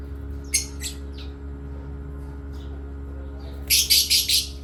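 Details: Asia parrots chirping during playtime: a few harsh scratchy notes at the start, a quiet gap, then a loud run of four rough squawking bursts in quick succession, with a constant low hum underneath.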